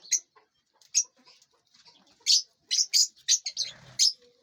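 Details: Lovebirds feeding and flying inside a large aviary give sharp, high, clipped chirps in spaced bursts, some doubled, with brief rustling near the end.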